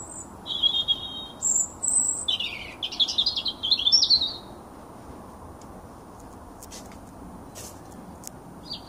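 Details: Young male blackbird singing to attract a mate and claim territory: brief high notes followed by a dense burst of scratchy twittering phrases, then quiet with faint clicks and a low steady background rumble.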